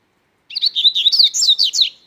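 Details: Loud, fast song of a Double-collared seedeater: a continuous jumble of high, slurred and trilled notes, up-and-down in pitch, packed into about one and a half seconds.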